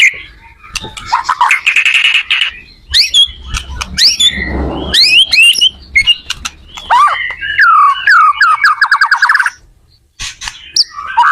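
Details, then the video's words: White-rumped shama in full song, used as a teaching recording for other shamas: a harsh buzzy opening, then varied sharp whistles and chattering notes, a downward-stepping series of slurred calls, a brief pause and a few closing notes. "suara burung murai membantu belajar murai batu"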